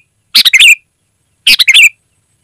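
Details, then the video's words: Close, loud sooty-headed bulbul, used to call wild birds: two quick phrases about a second apart, each a burst of three or four bright, slurred notes. "Suara Burung Kutilang Gacor, Asli tanpa isian, Lantang dan Jernih Ampuh untuk Suara Panggilan"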